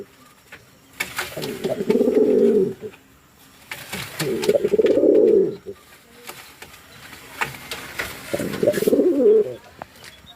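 A fantail pigeon gives three low, throaty, rolling coos, each lasting one to two seconds, with pauses of a second or two between them. Faint clicks sound in the background.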